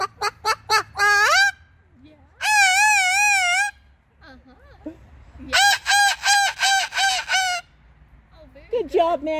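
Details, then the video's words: A pet Moluccan cockatoo, out at a park one summer, makes joyful sounds: rapid short barks leading into a long, loud, wavering squawk, then a string of six pulsing screeches over a low background hum. "Best of Summer - Max Makes a LOT of Joyful Sounds"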